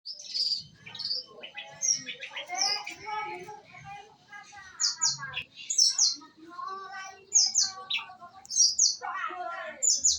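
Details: Female long-tailed shrike singing: a varied chattering medley of high sharp whistled notes, buzzy trills and lower scratchy phrases, loud harsh bursts recurring every second or so, with a faint low hum underneath.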